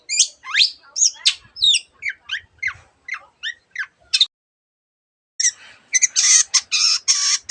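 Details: Long-tailed shrike song of mimicked calls: a quick series of sharp downslurred whistles, a second of silence, then harsh rasping chatter bursts.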